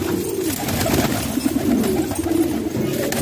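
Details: Pet pigeons kept in a house in Pakistan, low soft cooing phrases rolling and wavering through the whole stretch, with steady room background.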